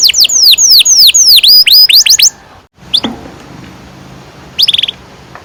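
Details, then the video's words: Canary song played to train young canaries to sing, in the long rolling style called ngerol panjang: fast series of loud, high downward-swept whistles for two seconds, then a lone sharp note and a brief high trill after a pause. "Kenari gacor NGEROL PANJANG cocok untuk PANCINGAN KENARI PAUD"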